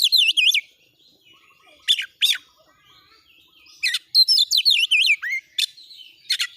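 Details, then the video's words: Oriental magpie-robin song used as training material to spur birds into aggressive display, given as short bursts of looping, high whistled notes separated by silences, ending in a fast run of sharp repeated phrases. "masteran Kacer NGOTOT NEMBAK MATERI PANCING CEPAT KACER IKUT NGOBRA NARUNG,burung kacer"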